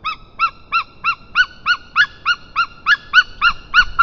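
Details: White-tailed eagles in Estonia, 22 March 2023 at 1:53 pm, as the male brings a fish gift and the pair mates: a steady series of yelping, arched notes, about three per second, growing louder midway.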